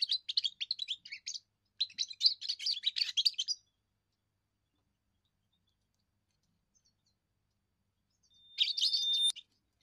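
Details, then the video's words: A young European goldfinch practising its first song, meant to defend territory and attract females: two fast twittering runs of jangling high notes, then a long silence and a final brief burst. "first song of a young goldfinch"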